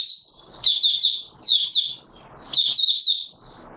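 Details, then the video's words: A captive Oriental white-eye gives its 'buka sing' opening song, 24 March 2022: three quick, high-pitched warbled phrases of slurred chirps separated by short quiet spells with faint hiss. "Mata Puteh Raja Video 1 buka sing"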